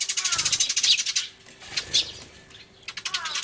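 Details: Loudly crying sparrows in a commotion, recorded 24 March 2013 on a camcorder, a turtledove with them; rapid chattering chirp series, a pause with fainter notes, then the fast chatter resumes.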